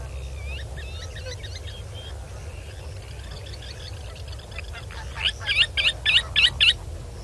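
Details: Northern black korhaan, male and female present, at Kamfers Dam, South Africa, 7 December 2021 around 6 PM, gives about six harsh rasping notes, roughly three per second, after faint twittering from smaller birds over a low rumble; call.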